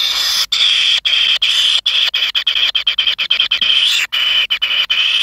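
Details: Greedy kingfisher young in the nest, pin feathers emerging, produce a loud continuous buzzy rasp with a thin whining edge, chopped by brief rapid pauses.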